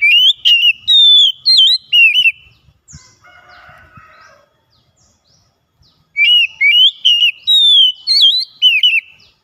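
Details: White-rumped shama song in two bursts of loud, clear whistled phrases, rising and falling notes repeated rapidly, separated by a quieter stretch of low buzzy chatter and a few soft clicks.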